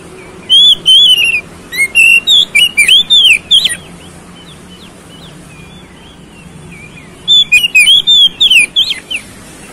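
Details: Oriental magpie-robin (kacer) song for provoking a fighting response: two bursts of rapid whistled and warbled notes, rising and falling, each about three seconds, with softer chirps in the gap between.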